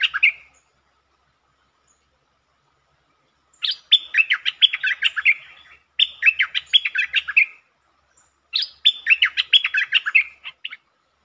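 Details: Streak-eared bulbul song recorded 13 February 2023, a bird singing many song types including long and doubled phrases: brief note, then three bursts of quick bubbling chirps, each about one to two seconds long with short gaps between.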